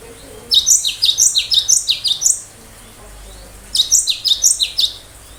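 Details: Cinereous tit in full song, firing sharp 'tembakan' phrases to provoke other birds into responding: a long run of a dozen loud, high, downslurred notes, a pause, then a second shorter run.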